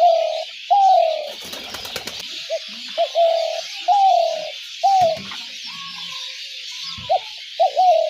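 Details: Spotted dove calling as a trap lure: scattered low coos, some drawn out and falling, others clipped short, over a constant loud hiss of insects or background noise.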